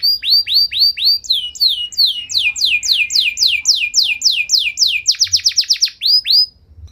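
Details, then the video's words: Canary in full song that provokes other canaries to reply: long run of sweeping slurred notes, about four per second, speeding into a tight burst of fast chips before ending in two last slurs. "Kenari Gacor Nembak Panjang Cengkok Mewah! Bikin Emosi Kenari lain Naik Langsung Nyaut Ikut Gacor"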